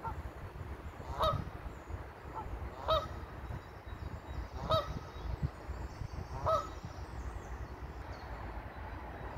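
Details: Ducks on green grass, ducklings following their mother: short nasal quacks come roughly every two seconds, four distinct calls, over a steady low rumble of background noise.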